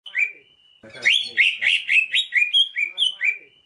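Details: Greater green leafbird (cucak ijo) masteran song: one clear whistled note, a pause, then a rich run of bright slurred whistles and warbles, many sliding downward, delivered about four per second with no other sounds.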